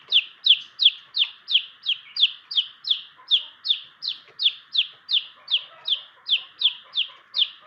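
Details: Long-tailed shrike, a 'pastol' type bird kept for others to learn from, giving a fast run of sharp descending notes, about three per second, very regular and steady throughout.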